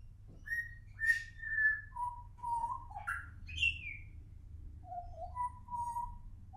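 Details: Juvenile pied butcherbird singing: a loose run of clear, fluty whistled notes, some level and some sliding up or down, a few higher slurred phrases in the middle, over a low steady background hum.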